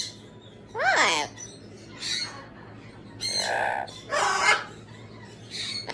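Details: Pet Amazon parrot mimicking speech: a sliding whistled note, then several harsh, word-like harmonic bursts spaced about a second apart over a faint low hum.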